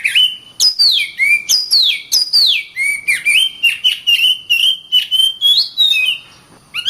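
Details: Oriental magpie-robin, a caged contest songbird, singing repeated downward-swooping whistles that settle into a long chain of quick level whistled notes.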